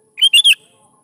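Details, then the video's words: Sooty-headed bulbul song used as a lure to draw young bulbuls into singing: one short phrase of three quick, bright, slurred whistled notes lasting about half a second, in otherwise quiet surroundings. "PANCING SUARA BURUNG KUTILANG GACOR"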